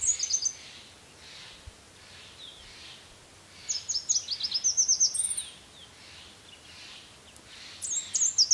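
Red Warbler: high, thin, rapid chip-and-twitter phrases, one at the start, a longer burst midway and another at the end, over faint background hiss.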